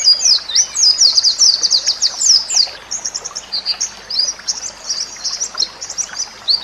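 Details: White-rumped shama song, used for training other shamas: very high, rapid, ringing notes delivered in fast runs of about four per second, restless and chattering throughout.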